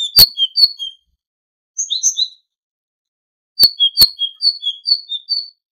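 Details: Tit voice on a goldfinch tutoring recording, with quick clusters of high whistled notes that drop in pitch, in three bursts broken by brief silences, and a few sharp clicks.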